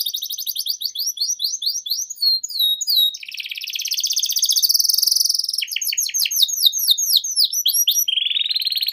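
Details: Canary singing at length as a tutor and trigger song for young canaries: quick descending whistles and chips, a long loud buzzy trill swelling in volume, then further slurred sweeps and a closing trill.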